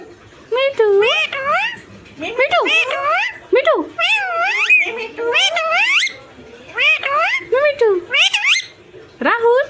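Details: Pet talking parrot mimicking human voices and making funny sounds: a run of speech-like harmonic phrases with sweeping, warbling pitch in short bursts of about a second, separated by brief pauses.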